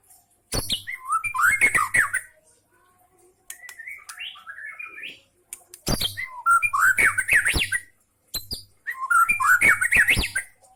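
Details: White-rumped Shama (murai batu) singing with imitations of lovebird and prinia: bursts of rich twisting whistles mixed with sharp chattering notes, repeated in phrases of about two seconds separated by brief silences, over a faint low hum.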